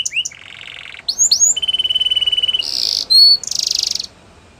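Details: Canary training song with quick rising chips, a buzzy roll, a long even trill of rapid pulses, then a loud burst, a clear whistle and a final buzzy roll.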